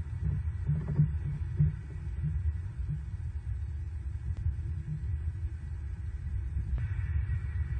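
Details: An eagle nest camera in southwest Florida overnight on 4 November 2022 picks up only a continuous low rumbling hum with a couple of faint clicks; no animal voice is heard.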